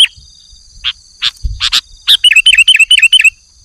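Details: Male sooty-headed bulbul calling to a rival in the afternoon, scattered sharp clicks and a low knock, then a quick run of six short, evenly spaced warbled notes.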